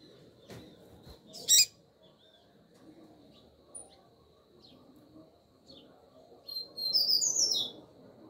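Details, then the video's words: A female double-collared seedeater calls to stimulate the male. One loud sharp high chip comes first, then scattered faint notes, then a bright, rapid twittering burst near the end. "FÊMEA DE Coleiro FOGOSA Piando E Chamando MUITO ESQUENTE SEU COLEIRO"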